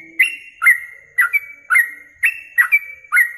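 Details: Yellow-vented bulbul in a masteran training recording for songbird contests, meant for morning and evening tests: seven sharp, bright chirped notes, each trailing into a level whistled tone, repeated about every half second.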